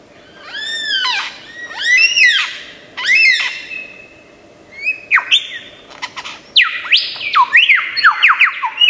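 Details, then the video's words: Mimicking lyrebird, known from Australian forests, giving three loud arched, rising-and-falling squawky calls, a held whistle, then a fast chattering series of steep descending notes, all sharp and bright against a quiet humming background. "Tembakan Lyrebird gacor 1001 macam suara"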